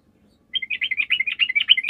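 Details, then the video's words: Sooty-headed bulbul song, used as a lure to make other bulbuls answer. After half a second of quiet comes a fast run of bubbly, chattering notes, with about ten quick phrases packed into one and a half seconds. "PANCINGAN TRUCUK GACOR, TRUCUK MANAPUN DIJAMIN LANGSUNG NYAUT"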